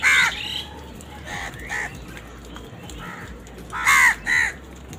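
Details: Angry crows squabbling while eating: loud, harsh caws rise in bursts, a strong one at the start and a close pair near the end, with quieter caws between over a steady outdoor hiss.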